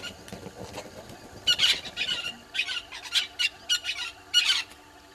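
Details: Red-billed hornbills below a camera at Gowrie dam waterhole, Djuma Game Reserve, Sabi Sand, South Africa, at 06:08 on 20 March 2022, give harsh, clucking squawks in a quick irregular series, two or three a second, after a faint low rumble.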